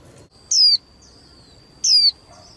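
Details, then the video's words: A young female white-eye gives two thin, high, sharply falling notes about a second and a half apart over a faint steady high whine, a call used to stir male white-eyes into singing. "KHUYÊN MÁI TƠ - Kích Trống Líu Đấu Sung Hơn Mỗi Trận"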